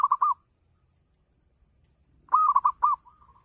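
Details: Zebra dove, local bird, in full ngayer song as a trigger for other doves to reply: a run of quick stuttering coos, then after a pause a louder cluster of four rolling coos ending in a soft trailing note.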